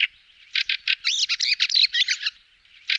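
A Fieldfare gives harsh, rasping chack-chack notes in a rapid, uneven chatter of a dozen or so bursts, with quiet background between them.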